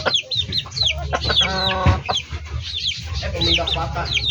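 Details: Chickens in a backyard poultry yard giving many short, high, down-slurred peeping calls, with one harmonic squawk in the middle and low rumbling noise throughout.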